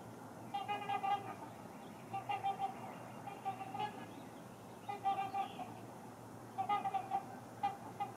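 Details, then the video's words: Two pairs of trumpeter swans on the ice of Rush Lake wait for open water, probably claiming a prime nesting spot, giving nasal, horn-like honks in short bursts of several notes every one to two seconds over a low rumble. "Swans on Ice trumpeting"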